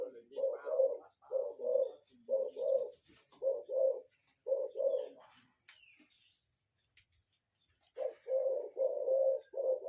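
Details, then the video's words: Lure spotted dove giving deep, mellow coos in rhythmic groups of two or three, about ten in a row, then a short pause with faint rustling before another run of steady, hollow notes begins. "Tiêng Chim Cu Gáy | Gay Gọi. Gáy Gù . Thúc Gù .Gù . chim gáy âm .cu gáy giọng còi .cu gáy mồi"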